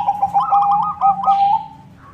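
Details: Lively white zebra dove song used to draw in other zebra doves: a fast bubbling run of short cooing notes ending in a long drawn-out trill, with a faint high chirp near the end.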